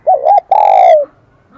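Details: Single song phrase of a spotted dove in the high, ringing 'kim đồng' voice style. A quick two-part wavering note leads into a long, loud, gently falling coo.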